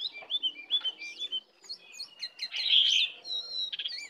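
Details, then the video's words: Oriental magpie-robin in the wild, come in to attack, singing looping whistled notes that rise and fall, then a louder harsh burst and sharp high chirps. "Jongkangan/cingcoang coklat Liar Datang Menyerang"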